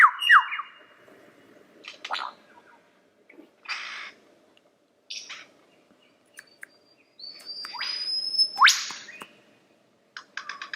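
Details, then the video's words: Lyrebird song in bits: sharp whistled downslurs, scattered clicks and short raspy notes, and a long high whistle sliding upward before a loud snapping sound. "Lyrebird The Best Songbird Ever!"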